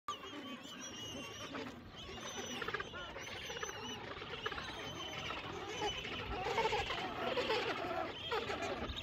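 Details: A crowded penguin colony in Antarctica, with many harsh, braying calls overlapping into a constant din.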